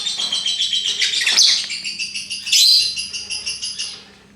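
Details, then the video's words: Lovebird delivering a rhythmic, pulsed trill of rapid buzzy notes, about eight beats a second, swelling louder midway and then fading out at the end. "Bagaimana cara agar Love Bird mau Ngekek"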